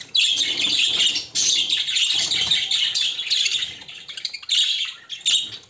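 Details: Several budgerigars, females with two newly added show males, chatter and chirp almost nonstop in high, scratchy warbles with brief pauses, over a faint background of a man talking.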